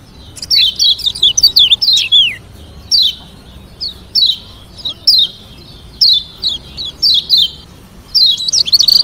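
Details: Yellow white-eye from Lombok, a caged bird, singing a varied song to make rivals answer; opens with a fast string of high slurred notes, then paired descending chirps spaced by short silences, ending in another rapid burst.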